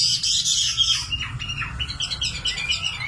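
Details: Brief nightingale phrase: a bright high trill dropping into descending sliding notes and quick chirps.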